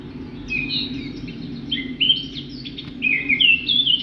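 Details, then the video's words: Whistled bird calls in quick, irregular bursts: clear slurred notes that rise and fall, some sharp chips between them, set against a constant low humming rumble. "Sound of Birds/பறவைகளின் சத்தம்"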